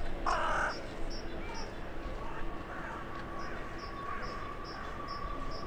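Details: A single short harsh caw opens the recording of a town-centre crow communicating with others flying in for the night on a January 2021 evening, followed by a run of faint high-pitched pips.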